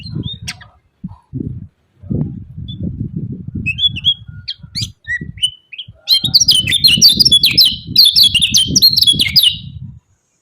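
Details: Kecial kuning, the lemon-bellied white-eye, in 'ciak ciak' chirping meant to rouse reluctant rivals to sing. Sparse high, thin notes for six seconds give way to a loud, continuous stream of quick, sharp chirps, with low thumping in the background.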